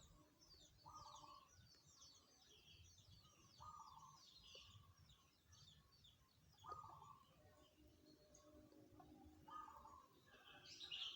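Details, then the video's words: Zebra dove singing in the tumpang sari song style: mellow cooing phrases repeated roughly every three seconds, over a busy background of chirping small birds and a steady low hum. "suara perkutut tumpang sari"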